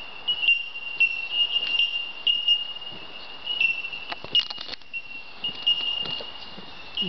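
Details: Several bellbirds in the treetops of an Australian forest at dawn ring out in a steady chorus of high, pure, bell-like tinks, overlapping into a constant chiming, with faint rustling beneath.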